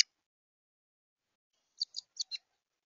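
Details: Apparently a juvenile Carolina wren at a bird feeder, flapping excitedly, gives four quick, high, scratchy chirps in a tight burst after a silent pause; audio slightly out of sync with the camera.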